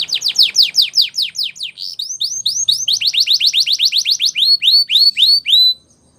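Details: Spanish Timbrado canary singing for training: a long run of loud downward-swept whistled notes that slow and turn into upward-hooked notes, ending in silence.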